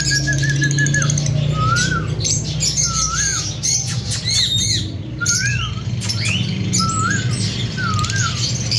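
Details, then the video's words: A breeding pair of lovebirds calls with short upslurred whistled chirps, about one per second after an opening trill, over a steady low hum. "Lovebirds Singing &Chirping Sounds"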